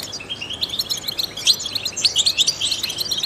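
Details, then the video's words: European goldfinch, trained and prized for its singing style, used to stimulate songbirds: a brisk, unbroken stream of bright metallic chirps and short trills, evenly paced and high pitched. "in the wild goldfinches chirp to stimulate songbirds"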